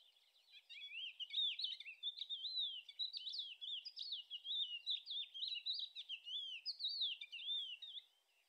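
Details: A Thekla's lark (Galerida theklae) delivers a continuous, high, warbling run of varied twittering and slurred notes for about eight seconds, with no other sounds.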